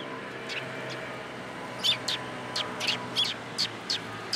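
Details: At a Tenmangu shrine on 21 March 2023, sparrows flocking into a cherry tree give bright, clipped chirps, sparse at first, then a livelier run of about eight quick notes in the second half, over low ambient hum.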